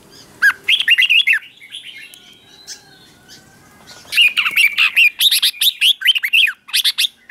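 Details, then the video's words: Red-whiskered bulbul at morning song practice, ché style: one quick warbled phrase, a pause with faint notes, then a long excited run of loud, tumbling, repeated chattering notes for three seconds. "Luyện chào mào hót sáng"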